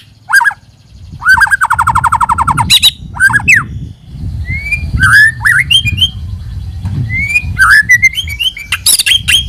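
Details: White-rumped shama singing as a lure: sharp bursts, a fast rattled note train, then rising and falling whistled phrases, with low background rumble.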